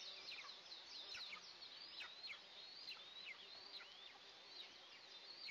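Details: Eastern imperial eagle eaglets, two in the nest, calling during the day's first feeding on June 29, 2024, via nest camera; sharp, high chirps slide downward, repeated unevenly roughly once a second amid constant hiss.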